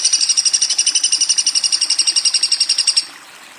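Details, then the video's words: A woodpecker gives a rapid, high, buzzy rattle of evenly spaced notes, about four per second, held steady for three seconds before stopping abruptly. Faint background hiss follows. "Burung Pelatuk"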